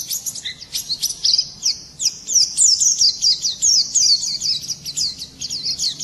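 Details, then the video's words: In the morning a white-eye sings a rapid, continuous, high twittering run of short chirps and trills. The notes flicker up and down with little pause. "Nghe chim khuyên hót hay mỗi sáng"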